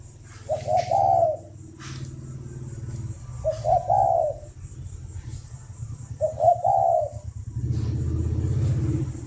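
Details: Morning cooing of a caged spotted dove at a Ba Vì farm, Hanoi: three mellow, throaty phrases, each opening with a brief hiccup note and ending in a sustained coo, spaced about three seconds apart over a steady low rumble.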